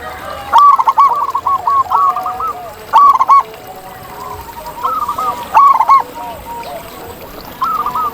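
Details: Free-living zebra doves in nature deliver repeated bursts of clipped, bouncing coo notes, several singers layered at different pitches, phrases recurring every couple of seconds with occasional sharp clicks.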